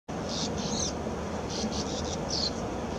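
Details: Bank swallows at a quarry colony in May 2016, flying synchronized circles and loops after claiming nest holes, give short, buzzy, high twittering bursts in three quick clusters over a steady rush of wind noise.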